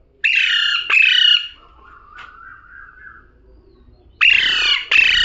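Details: Pet parrot talking: two harsh, strongly harmonic two-part bursts near the start, a faint lower tone in the middle, then two more loud paired bursts at the end, each syllable rasping and slightly falling; quiet background.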